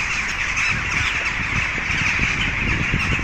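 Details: A large, very loud flock of jackdaws in trees in Pristina, Kosovo, gives many sharp, overlapping 'chak' calls running together into a constant chatter, with a low rumble of traffic or wind underneath.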